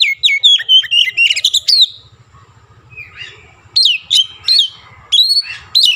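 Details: {'text': 'Oriental magpie-robin pouring out song with Javan myna imitations: a quick chattering phrase of squeaky notes, a pause with faint low rumble, then ringing downslurred whistles spaced about a second apart.'}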